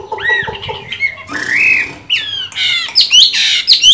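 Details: Caged Chinese hwamei with green-bean eye markings, singing well while moulting: harsh squawky notes and buzzy phrases, then loud rising and falling whistled slurs high in pitch, with a faint low hum underneath.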